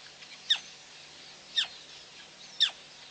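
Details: Female black crake calling at PP on 9/6/11: three sharp, high notes, each sliding steeply downward, spaced about one second apart over a quiet, faintly hissing background.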